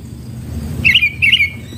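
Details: Sooty-headed bulbul recorded during trapping with a decoy bulbul: two short, bubbly whistled phrases, each rising then dropping, about half a second apart, over a low rumbling background.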